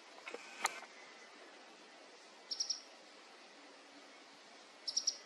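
An olive sunbird gives two quick bursts of three high, sharp notes, about two seconds apart, after a brief knock at the start.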